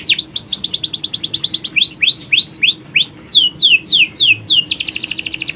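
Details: Canary colony of males in full song with females calling them: fast high trills changing into rising and falling sweeping notes repeated several times a second, then another rapid buzzing trill.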